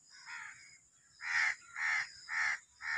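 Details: Black francolin, called Sindhi kala teetar or Sahiwal teetar: a run of four harsh, grating notes, each about a third of a second, with the last three louder and evenly spaced. A steady high faint hiss runs underneath.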